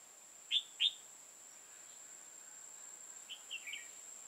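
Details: Trapping-session red-whiskered bulbul, a decoy, dated 5 October 2018: two strong sharp notes close together, a pause, then a softer, warbled run of three short chirps, against a steady thin whine and light hiss.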